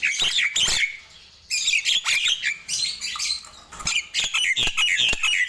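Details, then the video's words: Lively morning song of a Nias hill myna: a loud chirping burst, a pause of about half a second, then quick squeaky whistles and chattering notes that keep coming in short bursts. "Ramainya Kicau Jalak Nias di Pagi Hari"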